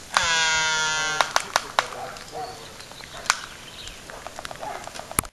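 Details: A Laysan albatross in a courtship dance at Princeville, Kauai, Hawaii, gives one drawn-out, nasal, bleating moan lasting about a second, followed by scattered sharp bill clacks over soft background wind.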